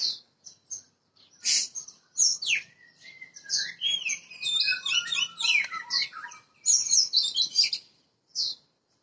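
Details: Wild-caught Oriental magpie-robin from Borneo being tested: varied whistled phrases with rich, sweet notes, short sliding whistles and scratchy twitters, pausing between bursts in an otherwise quiet setting.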